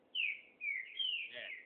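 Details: Free-flying chopi blackbird sings three loud, clear whistled notes, each sliding downward, with a lower soft note under the last one.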